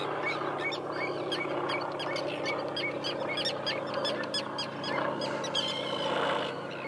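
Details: A colony of common terns (Sterna hirundo) at Kuyalnik estuary, Odesa region, Ukraine, in June 2012, calls in a busy chorus of sharp, high, grating overlapping notes, several a second, over a lower murmur of other birds.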